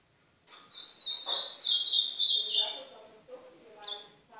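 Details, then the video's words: Ultramarine grosbeak, northeastern Brazilian song style, used to tutor a young caged bird: a sustained, high, quick warbling phrase of slurred notes lasting about two seconds, with softer lower chirps afterward and a final brief high note. "canto do AZULÃO DO NORDESTE"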